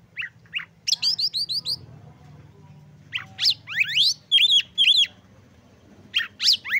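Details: Oriental magpie-robin song used to provoke other magpie-robins and spur them to sing: a few short notes, a fast series of high whistles, sweeping upslurs, then two loud arched whistles and more upsweeps, over a faint low hum.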